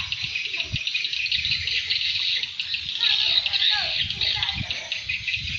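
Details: Swiftlet calling sound said to attract swiftlets: steady, thick, high-pitched twittering and clicking chirps running throughout, over a soft low rumbling background.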